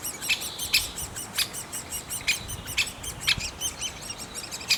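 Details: Nestling great spotted woodpeckers produce insistent high-pitched squeaks in quick succession, some notes louder and harsher, mixed with short dry ticks, recorded at the nest.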